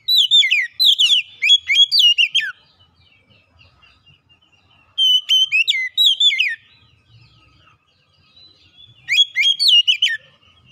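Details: Magpie-robin lure song meant to set reluctant birds singing: three bursts of rich whistled, slurred notes with sharp chips, each lasting about two seconds, separated by quiet pauses with faint soft twittering.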